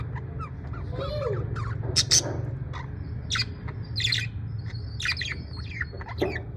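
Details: A cheerful parrot in the USA: a mix of sharp chirps, short squawks and a brief high flat whistle, irregularly spaced, against low steady hum.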